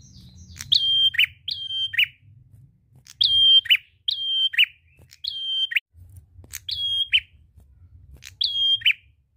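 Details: Prinia delivering its vocal, drawn-out song used to draw other birds into singing: repeated paired notes, each a long level whistle ending in a lower burry chirp, about seven notes in short bursts; faint low rumble.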